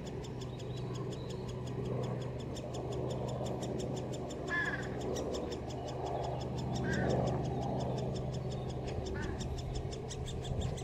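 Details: Great spotted woodpecker nestlings at Solleveld, 26 May 2018, with a parent coming to feed. A steady fast chatter of about four high ticks per second, with a few short, lower, harsher notes breaking in over background rumble.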